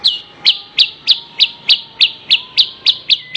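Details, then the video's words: Horsfield's bush lark master song for training birds: a steady series of about eleven sharp, high descending chirps, spaced roughly three per second, over a faint thin background whistle. "Ocehan Suara Burung Branjangan"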